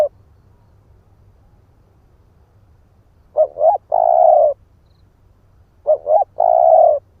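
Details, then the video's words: After a silence, a split-breast spotted dove used as a lure gives two cooing phrases, each two quick swelling notes and one long steady coo, about two and a half seconds apart. "Chim cu gáy ức chẻ thúc kích mồi | Tiếng chim cu gáy kích bổi"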